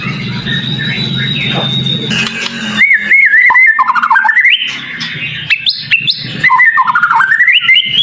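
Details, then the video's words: White-rumped shama song, packed with sharp high variations: a low buzzing hum at first, then loud warbled whistles that step upward in pitch, followed by quick wavering notes rising again toward the end. "Masteran Murai Batu cepat Buka Paruh | Suara Full Variasi Paling Dicari"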